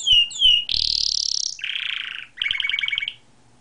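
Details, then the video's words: Canary singing loose outside its cage, as it usually does: two clear whistled slurs, a harsh buzzy phrase, a lower rolling trill, then a quick run of evenly spaced bubbling notes before silence. "gaucho is singing outside of his cage as usual"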